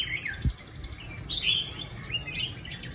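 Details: Chinese hwamei kept in a cage in Hanoi, Vietnam, giving a few short whistled slurs and chirps, with one low thump near the start.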